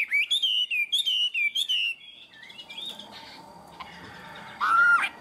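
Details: Caged Chinese hwamei delivering a few loud, rich whistled phrases, each with a quick rising flourish, followed by quieter notes and one final strong downward slur.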